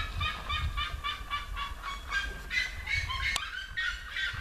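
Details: Red-legged seriemas (Cariama cristata) sing by a road in Conselheiro Lafaiete, Minas Gerais, Brazil: loud, harsh yelping notes, about four per second, rising in pitch toward the end, over a low rumble with one sharp click.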